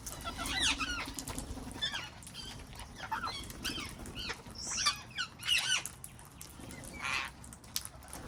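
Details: A garden with wild parrots: continuous chattering of short, sharply bent chirps and whistles, overlapping and uneven, with a brief harsh squawk near the end.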